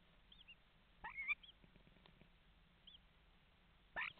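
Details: Common starlings at a nest box in Estonia, recorded by webcam at 7:42 on 11 May 2019: soft, thin high chirps scattered throughout, with two louder rasping, chattering bursts.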